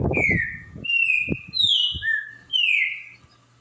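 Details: Green-winged saltator singing: four clear whistled phrases, each a slurred or level note, some gently falling, spaced about half a second apart, with low thumping and knocking noises underneath.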